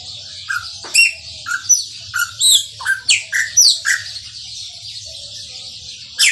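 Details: Chopi blackbird delivering its Maranhãozinho song: a rhythmic series of ringing, down-slurred whistles mixed with crisp chips, around ten notes in close succession, then a pause and a final loud note, with a low background hum.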